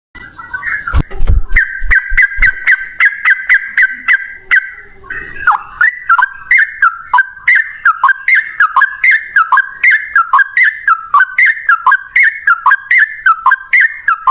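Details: Yellow-vented bulbul singing in the Indonesian ropel style, in one long continuous breath: fast, bubbly, repeated slurred notes, about three per second, after a few low knocking thumps at the start.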